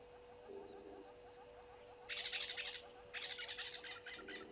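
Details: Natal spurfowl at Gowrie dam waterhole, Djuma Game Reserve, Sabi Sand, South Africa, at 18:08 on 12/04/21, gives two harsh, grating cackling bursts, each under a second, with soft low hoots before and after over a steady hum.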